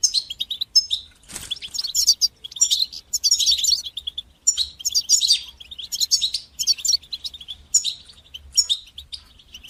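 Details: European goldfinch singing the batbata and satsata styles, used to stimulate young birds' singing: continuous, lively, high-pitched twittering and jingling phrases, with one sharp click near the start.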